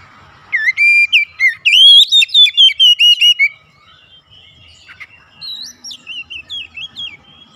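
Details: Caged Oriental magpie-robin in active gacor song during daily therapy: about eleven loud, clear whistles in quick succession, a brief pause, then a quieter rippling series of higher, wavering notes.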